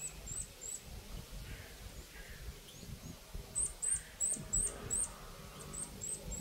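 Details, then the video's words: Hungry Eurasian nuthatch nestlings at Žale cemetery, Ljubljana, Slovenia, 12 May 2024, beg with very high, thin chirps in quick bursts of three or four, over a low background rumble. "Sitta europaea BRGLEZ (lačni mladiči)"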